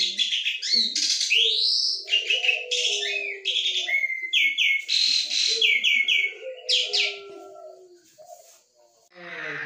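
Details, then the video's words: Asian pied starling singing actively and chattily with varied sounds: a rapid stream of clear whistles, upward-swept notes and buzzy rattles in quick succession, with faint lower chuckling notes beneath. "JALAK SUREN GACOR, CEREWET ANEKA SUARA"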